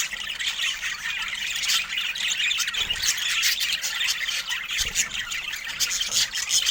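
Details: Flock of budgerigars keeps up continuous high, scratchy warbling and chirping, many voices overlapping, with two brief low thumps in the background.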